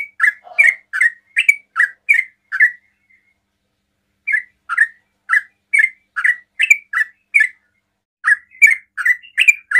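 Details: Sooty-headed bulbul in fast ropel-style song intended to provoke other bulbuls to answer: loud rapid chirped notes in three bursts separated by short silences.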